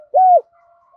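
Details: Single loud, clear coo of a spotted dove used as a morning lure to call wild doves; a flat note with a falling tail, followed by a faint thin hum.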